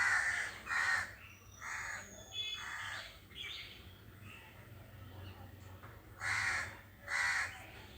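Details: Harsh crow caws, with other birds falling quiet at the sound: two quick caws open, two more follow, faint thin chirps from smaller birds in the middle, then a closing pair of caws over low background hum.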